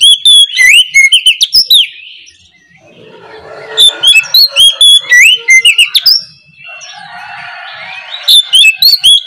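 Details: Oriental magpie-robin (kacer) singing in the morning in the loud, open ngeplong style, as a lure recording for reluctant birds: bursts of sharp, high, sweeping whistled notes repeated rapidly, alternating with softer, quieter warbling chatter between the loud phrases.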